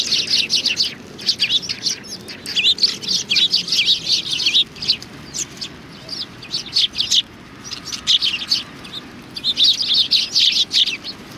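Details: At Tenmangu shrine on 25 November 2020, sparrows come in to be fed. Waves of bright, scratchy chirps from many birds rise and fade across the recording.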